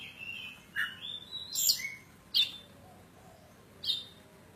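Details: Oriental magpie-robin, kacer poci from Java, Indonesia, singing insistently: sustained whistled notes and a rising slur, punctuated by sharp loud chips and a harsh burst.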